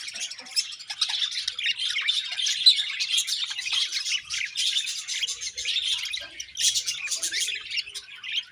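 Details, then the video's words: Continuous budgerigar chirping: overlapping busy warbles, clicks and buzzy squeaks from several birds with no real pauses, a dense scratchy chorus throughout. "Beautiful Budgies Chirping Sounds"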